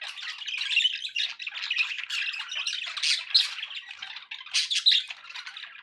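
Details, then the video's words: Continuous indoor budgerigar chatter, rough and buzzy, with louder squawky accents that stand out every second or so. "budgie sounds"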